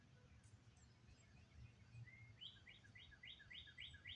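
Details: Wild birds in Oklahoma on 22 May after storms have moved east: a rapid series of sharp, rising chirped notes repeated several times a second, starting after a soft thin whistle, over low wind rumble.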